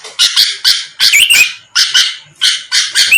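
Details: Sooty-headed bulbul lure song to make rivals respond fast: coarse, buzzy notes in pairs and triplets, punctuated by thin upslurred whistles.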